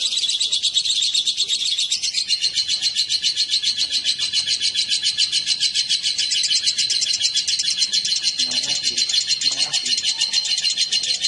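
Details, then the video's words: A male and female lovebird brought together chatter incessantly: fast, pulsing, shrill squeaks and chirps running for the whole stretch, with faint low sounds in the background near the end. "Kicau burung//Jika raja dan ratu di pertemukan"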